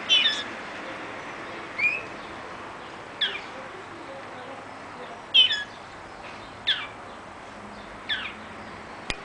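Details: Young hybrid of a male common linnet and a female European greenfinch gives short, bright twittering bursts of high chirps, one roughly every one and a half seconds, with a faint background hiss.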